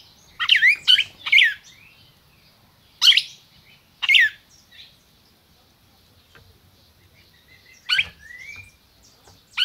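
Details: Red-crested cardinal kept by a registered breeder in Brazil, singing: a rapid cluster of three loud, warbling notes, then single bright chirps at wider, uneven gaps.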